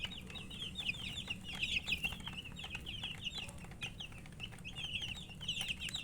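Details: Baby chickens calling for water give bursts of high, rapid chirps from many chicks, pausing briefly midway before the peeping chorus resumes.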